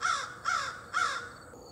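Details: American Crow at Pleasure House Point giving three harsh, hoarse caws in quick succession, about half a second apart, with a faint thin whistle trailing at the end.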